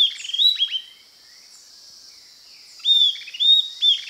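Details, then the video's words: A Southern Antpipit (Corythopis delalandi) sings two short bursts of clear, high whistled notes that slur downward, over a steady high insect hiss. "Canto pássaro Estalador"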